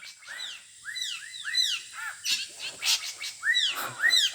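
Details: Adult drongo (srigunting) from Sumatra, called especially fierce, producing repeated arched whistled notes about twice a second, then a burst of harsher scratchy chirps and more arched whistles near the end.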